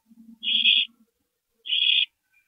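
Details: Owl at a nest at 2:40 AM on April 22, 2012, during a parent's nighttime stopover: two harsh, hissy bursts about a second apart, the first preceded by a low, soft, rapid purring chatter.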